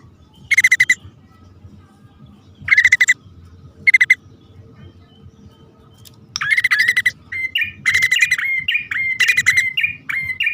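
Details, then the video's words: Male and female bar-winged prinia calling for use as a lure: three short, spaced rattle bursts, then a dense stretch of rattles mixed with quick upslurred chirps. "suara pikat prenjak poci/hutan jantan dan betina memanggil jitu"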